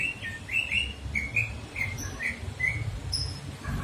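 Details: Unidentified bird giving a series of short, bright upslurred chirps, each clipped and spaced unevenly, with a faint higher note near the end over a low rumbling background.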